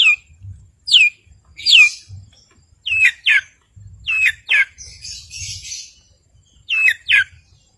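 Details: Long-tailed shrike in full song, meant to provoke opponents and rouse silent birds. Bright, down-slurred whistles fall one after another, some in quick pairs, with a soft hiss between them.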